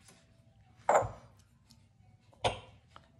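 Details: Two sharp, broadband knocks or chops about one and a half seconds apart in a small room, with a low background hum and no animal voice.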